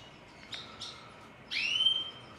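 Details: Caged goldfinch hybrid singing two short, bright chirps, then a longer whistled note that rises slightly and holds steady, over a faint background hiss.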